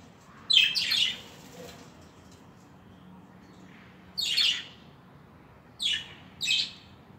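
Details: Budgerigars making harsh, scratchy squawks in spaced bursts: a double burst first, then single and paired calls several seconds apart.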